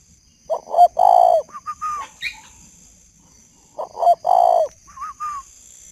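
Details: Male spotted dove, caged with a decoy bird, calling at 11 pm in northern Vietnam: a deep cooing phrase of a short double note, a long drawn coo, then two brief rising notes, repeated after a pause.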